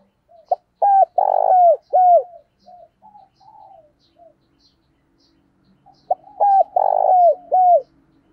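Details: Spotted dove decoy cooing, played to provoke and attract wild doves: two bursts of loud, mellow, mid-pitched coos with a long drawn middle note, separated by several seconds of soft, faint notes. No other sounds.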